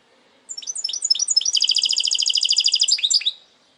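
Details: Goldfinch hybrid delivering a single clean phrase: several quick descending chirps build into a rapid, even, buzzing trill lasting about a second and a half, closing with a couple of dropping notes.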